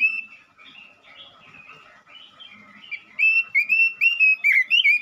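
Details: Lure song of a male robin for stirring up other robins: a soft, quiet warbling start gives way to a loud series of sweet whistled notes, each slurred and rising, delivered rapidly over the last two seconds.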